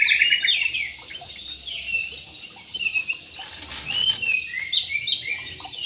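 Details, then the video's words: Aviary-kept jumbo parakeets in Indonesia giving rapid scratchy chirps and short slurred twitters in uneven bursts, louder at the start and again near the end, with soft background hiss throughout. "PARKIT JUMBO"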